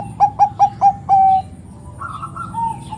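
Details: Bangkok zebra dove with a powerful 'ngerot' bekur said to make other doves sing: four crisp clipped coos run into one long even note. Afterwards fainter, more distant dove phrases follow over a soft low hum.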